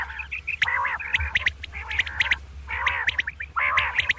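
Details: Dawn calling of a female common quail, with rough nasal phrases coming in four groups, each mixed with clipped high chirps over a faint low hum.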